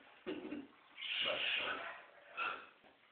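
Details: Scarlet macaw, a pet male, playing in special time with its owner: a short rasp, then a sustained harsh squawk of about one second, followed by a brief final burst.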